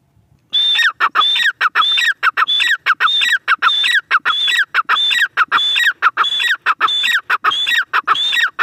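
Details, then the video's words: Grey francolin (teetar) in a steady, insistent calling bout: shrill, metallic phrases, each with a ringing high note over a harsher lower note, repeated at an even, fast pace of roughly one and a half per second. "Teetar awaz | dakhni teetar awaz | gray francolin teetar voice"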